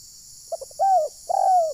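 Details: Decoy call of a spotted dove, used to trap wild birds in Rokan Hulu: short stuttering notes lead into two smooth, sustained coos that drop slightly in pitch, with little else audible.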